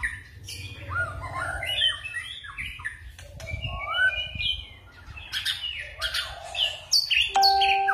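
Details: White-rumped shama giving forest-style song with switching phrases: varied whistled slurs and quick chattering notes, getting denser toward the end, with a steady tonal sound at the close.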